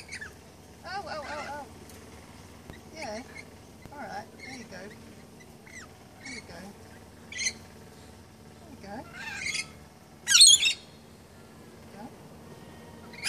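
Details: Lorikeets being hand-fed in March 2015 give harsh, high-pitched screeches in short bursts every second or two, loudest near the end, with people talking throughout.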